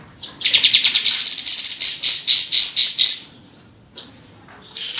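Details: Kapas tembak singing energetically: a fast, high, ringing trill of rapidly repeated notes lasting about three seconds, a pause, then a fresh loud high phrase beginning.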